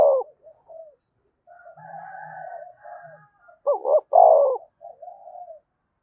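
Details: Spotted dove coo used to provoke other doves into calling: quiet wavering hums and soft notes, then one loud phrase with a quick stuttered double note and a long, full, falling rolled coo, trailing off softly.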